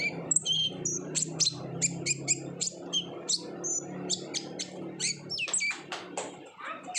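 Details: Olive-backed sunbird chattering constantly, recorded as a lure to make other sunbirds sing: dense series of sharp high clicks, chirps and brief whistles, fast and irregular, over a low hum.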